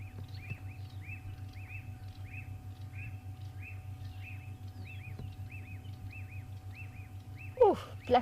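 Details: On an afternoon safari drive on September 6, after the first big rains, a black-backed puffback gives a steady run of sharp, clicking snaps, about two a second, over a low vehicle engine hum, with a louder knock near the end.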